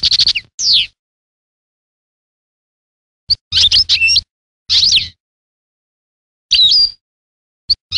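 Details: European goldfinch singing in short bursts of liquid twittering and quick up-and-down slurred notes, with long silent gaps between phrases; a clear tinkling note ends the clip.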